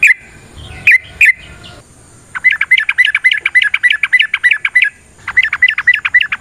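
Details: Yellow-vented bulbul in its long fighting song, used to provoke other birds: a few loud bubbly notes, a short pause, then a fast run of quick, bouncing repeated notes, a break, and another rapid burst.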